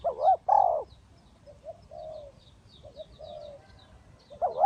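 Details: Spotted dove used as a decoy in a ground trap, giving loud, wavering double coos at the start and again at the end. Softer, shorter coos from another dove sit between them, with thin high chirps of small birds above.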